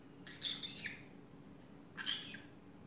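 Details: Pet green-cheeked conure in an afternoon chattering bout: two quieter clusters of scratchy, rasping chatter notes about a second and a half apart, over a noticeable low indoor hum.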